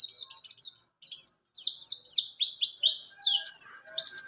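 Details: White-eye of the buxtoni type in rolling ngalas ngerol song, used to tutor and revive silent birds: short bursts of quick high down-slurred notes, growing louder and fuller toward the end.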